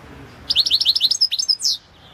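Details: European goldfinch, Carduelis carduelis balcanica, in a 2022 internet singing championship entry: a rapid liquid twittering trill of a dozen or so high notes, ending in a louder, slurred, buzzy note.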